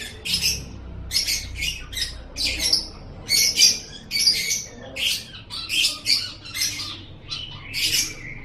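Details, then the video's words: Lovebird song used as training material for cage birds: a series of separate harsh squawking and chattering bursts, high and noisy, about one every second, irregularly spaced. "Masteran Suara Burung Love Bird"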